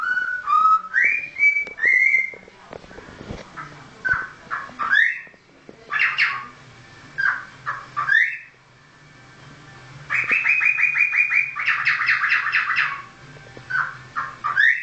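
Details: A cockatiel whistles the tunes Jingle Bells and Happy Birthday, clear rising and falling notes broken by short chirps.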